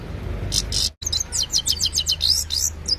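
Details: Himalayan goldfinch singing at evening time, caught on a mobile phone: a short burst of high buzzy notes, a brief gap, then a fast string of sharp twittering chirps.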